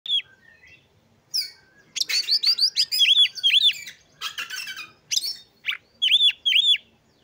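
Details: Oriental magpie-robin singing vigorously, a loud varied phrase of sharp chips, buzzy rattles and sweet arched whistles, with pairs of clear rising-falling whistled notes repeated near the end; quiet room background.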